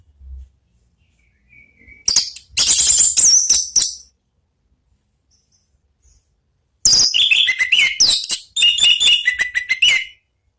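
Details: Orange-headed thrush giving ngeplong-style song meant to lure other birds to sing: two long bursts of rapid, high, shrill warbling and sweeping whistles, rich and varied, separated by a few seconds of silence.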